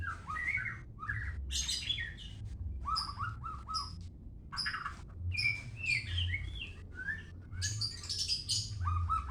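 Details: Song of a white-rumped shama from Medan: fast, varied whistled phrases switching between lower rising notes and high chirps, delivered in short bursts separated by brief pauses over a low background hum.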